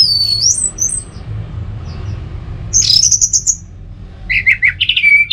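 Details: Caged orange-headed thrush song: high whistled descending slurs, a pause, then a fast trill-like phrase and lower warbled notes.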